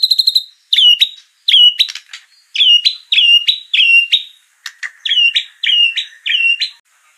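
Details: Champion Oriental magpie-robin in masteran material repeating a sharp note and a falling whistle about every half to one second, steady and insistent, with occasional clicks in between.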